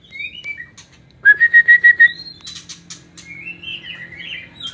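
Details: White-rumped shama in an aviary: soft opening whistles, then a burst of six loud, clear, repeated whistled notes, then high buzzy notes and a warbled, wavering phrase.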